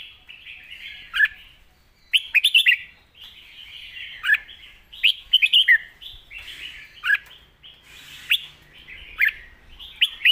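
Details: Caged red-whiskered bulbul singing a loud, clear master-pattern song: short bright warbled phrases, mostly mid-high, with sharp clicking accents, delivered in bursts roughly every one to two seconds; faint low rumble underneath.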